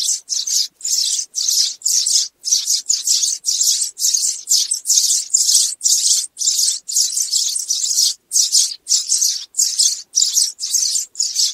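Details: Sparrows calling a flock together, used as a trapping lure; bright chattering bursts of high chirps follow one another nearly twice a second in a steady, looping rhythm with brief pauses.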